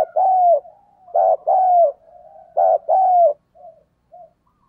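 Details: Caged decoy spotted dove cooing to excite wild doves: three rapid low phrases, a brief note then a sustained falling coo, linked by a soft humming murmur and ending in quiet short notes.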